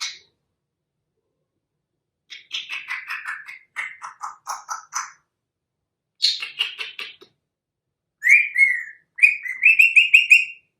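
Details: Young captive African grey parrot imitating catcall whistles and phone ringtones: runs of rapid falling chirps, then bright repeated ringtone-like whistled pulses near the end, no other sounds.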